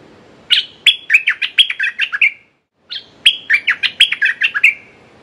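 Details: Decoy red-whiskered bulbul calling to lure a territorial wild bird, delivering two long, lively runs of rapid chattering whistles, about ten notes each, separated by a brief pause.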